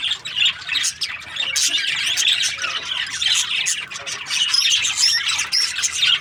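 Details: Budgerigars in the breeding season, a flock of captive parakeets chattering together. Dense, continuous high chirps, warbles and squawks overlap without pause, forming a busy wall of twittering throughout.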